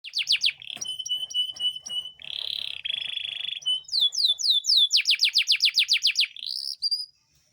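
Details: Caged male Yorkshire canary in full song, used as a tutor recording to prompt silent canaries to sing and to encourage mating: fast varied phrases of trills, a buzzy sustained roll, then rapid repeated rising-falling whistled notes.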